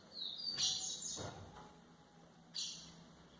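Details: White-throated seedeater song for training young birds: a few sharp high notes in short bursts, with a gap before a final bright note, over faint low background hum.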